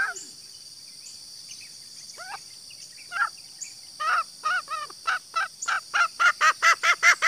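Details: Female green junglefowl (Gallus varius) call for attracting males: scattered single notes become a quickening sequence of loud, harmonic, cackling notes that grow stronger toward the end. Insects hum constantly at a high pitch.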